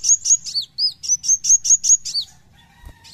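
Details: Caged brown-throated sunbird singing in full besetan style: a quick series of about ten sharp, high, upslurred notes, roughly five per second, with a few lower swooping notes mixed in, then quiet.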